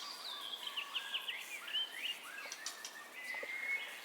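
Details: White-rumped shama song used as a master recording to train caged birds to sing: a rich run of varied whistled phrases, with rising and falling slurs and short sweet notes one after another, quiet, over faint background hiss.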